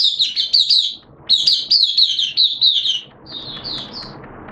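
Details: Hobby-kept Oriental white-eye singing on 11 September 2022 during wet, erratic weather. Bright, high warbling phrases tumble quickly, then break off before softer, thinner notes near the end over a faint background murmur.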